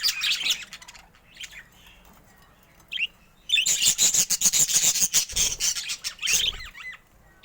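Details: Budgerigar warble: a brief chirpy opening, a quiet gap with a few soft notes, then a loud run of fast rasping chirps and ticks repeated several times a second.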